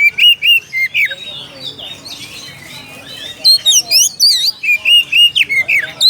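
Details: Oriental magpie-robin calling to a rival, loud clear whistles at first, a quieter warbled middle, then a renewed series of rising slurs and even whistled notes.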